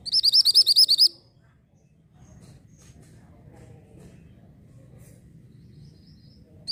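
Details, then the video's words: Mantenan bird, orange form, with song used to train white-rumped shama. A fast burst of roughly nine sharp, high, buzzy notes lasts one second, then quiet low hum follows. "BURUNG MANTENAN ORANGE SEDANG BERKICAU"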